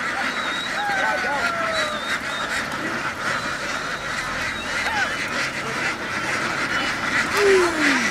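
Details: Vietnamese laying ducks crowd from a field down onto a boat, quacking together in a thick, steady chorus; a few higher nasal calls and short sliding notes rise above the harsh overlapping din.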